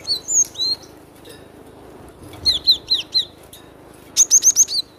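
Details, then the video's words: Cinereous tit giving a loud song: short high whistled notes sliding downward, first a pair of slurred notes, then a quick run of four, then a rapid burst of five bright notes, with quiet gaps between. "Suara lantang burung glatik batu"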